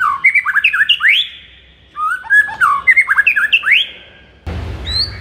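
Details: White-rumped shama morning song, used to fire up a kept bird: two bursts of fast, varied whistled phrases with rising sweeps, separated by a short gap, ending in an abrupt burst of broadband noise with a faint high note.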